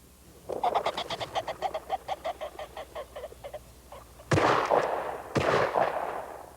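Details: Ring-necked pheasant in Missouri, where it is an introduced exotic, gives a rapid series of about fourteen harsh, nasal clucks at roughly four per second, followed by two loud gunshots.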